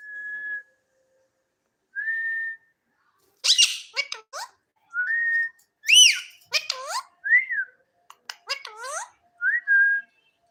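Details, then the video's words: Pet parrot making whistled, flute-like notes and short sweeping, speech-like sounds, with pauses between bursts. "My Talking Parrot"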